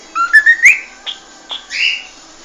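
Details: Cockatiel song fragment: a few quick rising whistles ending in an upward sweep, then short faint notes and a breathy whistled tone.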